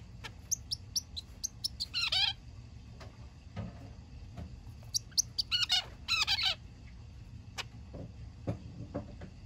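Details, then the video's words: Zebra finch kept as a pet, on its third day in a new home, calling while being massaged: short high chirps and clustered rapid buzzy notes in bursts, over faint low room hum. "キンカチョウ マッサージとそのお礼。可愛らしい鳴き声！！"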